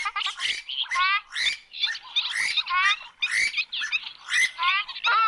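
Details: Purple swamphen giving a rapid run of harsh, grating squawks and cackles, closely packed with brief gaps and little pause between bursts.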